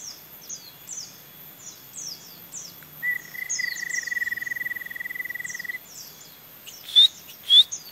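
A white-eye sings a canary-like song: thin, high downslurred notes repeated about twice a second, a long steady rolling trill, then two loud sharp notes.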